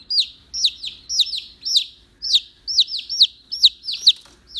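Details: Baby chicken chick peeping loudly, sounding like an alarm: shrill high notes that rise then drop sharply, repeated about twice per second in a steady insistent series, with faint low background noise.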